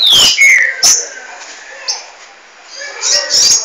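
Green-winged Saltator giving loud, clear whistled notes that slide downward from high to middle pitch, with short sharp chirps between phrases.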